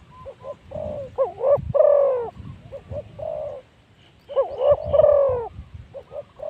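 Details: Spotted dove used as a decoy to lure wild spotted doves at luring spot 136, giving low hooting coos in two phrased bursts with a pause between, over faint background rustle.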